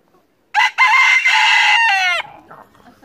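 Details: Rooster on a Norwegian farm, a farm bird walking freely around the yard, gives one loud, harsh crow: a short opening note, then a long sustained tone ending in a falling, broken tail; quiet background afterwards.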